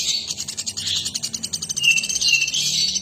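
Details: Actively singing nuthatch giving dense, quick high chips in uneven bursts, with a couple of brief whistled notes near the end over a faint low background hum.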